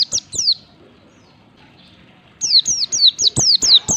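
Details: Japanese white-eye song played as a lure to get birds singing: two high descending chirps, a quiet gap, then a fast run of sharp downward-slurred chirps repeating about twice a second, with dull knocking underneath.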